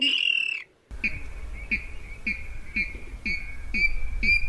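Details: Rail lure for net trapping at night, 2020: one drawn-out buzzy note, a brief gap, then a steady series of short sharp notes about every half second over a constant low rumble.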